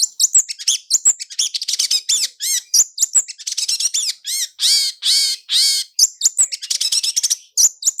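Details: Roll speed and roll tembak lure song of a long-tailed shrike, full of filler phrases: a dense, varied medley of thin high whistles, chattering notes and arched harmonic calls, almost unbroken.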